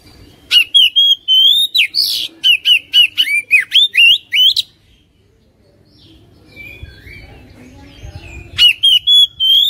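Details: Oriental magpie-robin song to stimulate a caged bird: long rapid series of sharp, clear whistles with a harsh squawk mixed in, a pause with faint rustling, then the quick whistles resume.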